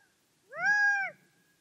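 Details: Gambel's quail uttering one drawn-out, plaintive nasal note lasting just over half a second. It rises briefly, holds level, then drops away at the end, on a quiet background.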